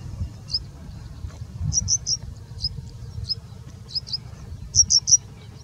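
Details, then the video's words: Singing bush lark in India, mimicking other birds, giving sparse pairs and triplets of thin high chips spaced by pauses, over a quiet low rumble. "Singing Bushlark singing and mimicking for more than three minutes straight"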